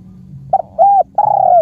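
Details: Khmer spotted dove giving a short three-part cooing phrase: a quick doubled note, then an arched mellow coo, then a longer coo that slowly falls in pitch. Quiet background.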